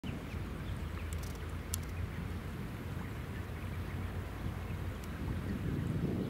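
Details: Steady low rumble of wind and a passing boat near the shore at Itsukushima (Miyajima), recorded 20 May 2018, with no animal calls heard.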